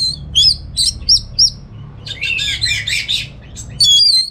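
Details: Orange-headed thrush from North Bali, kept for song training. Crisp high whistled chips repeated in short bursts, then a dense buzzy scratchy phrase and a final bright whistle.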